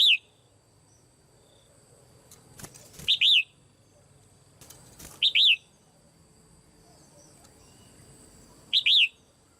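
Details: Caged female red-whiskered bulbul calling to stimulate other birds to sing: short loud arched notes around a high pitch, given as a quick two-part phrase about every two to three seconds over faint background hiss.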